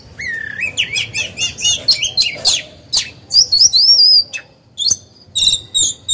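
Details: Captive decoy oriental magpie-robin singing to provoke wild birds into answering and to train young birds: rapid varied whistled phrases, rising slurs and sharp high notes tumbling one after another without pause.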